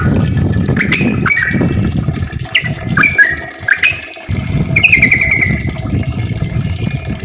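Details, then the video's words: Yellow-vented bulbul song meant to lure other bulbuls into singing: bubbly whistled phrases with rising and falling notes, some long drawn tones, over a steady low rumble like running water. "kicau trucukan gacor ropel panjang ampuh untuk pancingan trucuk biar aktif bunyi ropel dan gacor"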